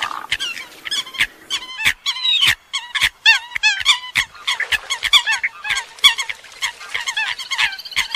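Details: A dense flock of Eurasian coots (Fulica atra) calls over one another: sharp, nasal, high-pitched notes in quick overlapping bursts, with sharp clicking sounds between them.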